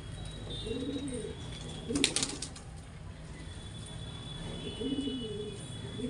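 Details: Pigeons during mating give deep, throaty rolling coos at the start and again near the end, with a sharp burst of clatter, like wing flaps, in the middle and a constant low background rumble.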